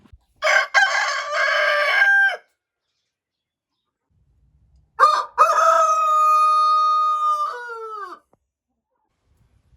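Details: Two rooster crows about five seconds apart, the second a long clear sustained note that breaks into falling tones at the end; otherwise quiet.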